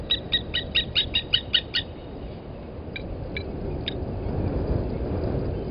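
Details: Blacksmith lapwing parent at its nest with eggs beside Gowrie dam waterhole, Djuma Game Reserve, Sabi Sand Wildtuin, South Africa, 31 August 2020, 11:08, from a live camera: a quick run of eight sharp metallic clinks, then scattered single notes over rising background rumble.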